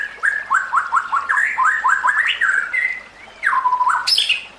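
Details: White-rumped shama song used to train other shamas: a run of quick upslurred chips, then a long loud downslurred whistle and a sharp high burst at the end.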